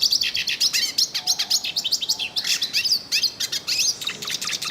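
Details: In nature, a yellow-faced siskin sings continuously, pouring out rapid high twitters, slurred chirps and scratchy trills that barely pause across the whole stretch.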